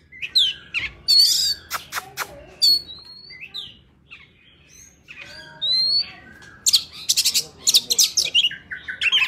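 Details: Oriental magpie-robin wild forest-style song for training young birds: varied sweet whistles, sharp upslurred notes and rapid high chattering bursts, uneven in pace, over a faint low background hum.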